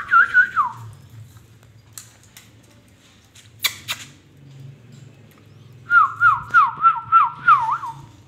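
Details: Indian ringneck parakeet whistling. A brief wavy whistle opens, then come scattered clicks and a quiet stretch over a low hum, ending with a rapid series of about seven looping whistled notes.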